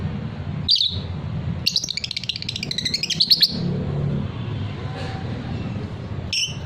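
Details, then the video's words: Fighter lovebird giving a long ngekek trill: one sharp chirp, then nearly two seconds of rapid, buzzy pulsed notes wavering in pitch, followed by quiet and a final short chirp; low background rumble. "suara lovebird paud figter"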